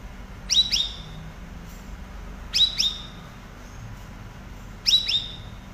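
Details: Cucak rawis singing as a master for training cage birds: three bursts of paired sharp, high, falling chirps with thin trailing whistles, spaced roughly two seconds apart against quiet hiss.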